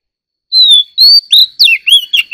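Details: Oriental magpie-robin song during a singing contest: after half a second of silence, a long clear whistle, then several bright slurred whistles dipping and rising, delivered in quick succession.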